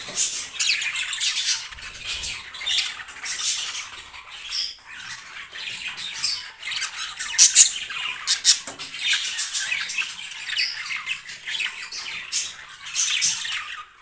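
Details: A breeding pair of yellow, blue and green budgerigars sings in a continuous scratchy, high-pitched warble of squawks, clicks and chirps, with a few sharper bursts near the middle.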